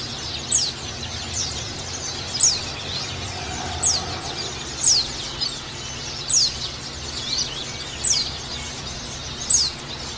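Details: A white-eye gives thin, very high, quickly falling calls, one every one to two seconds, over a faint steady hiss; used to prompt other white-eyes to start singing.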